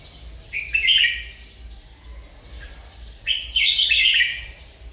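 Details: Two rich, warbling phrases from a merbah lekir bulbul, each a quick run of bubbling notes that rises then drops, separated by a brief quiet gap.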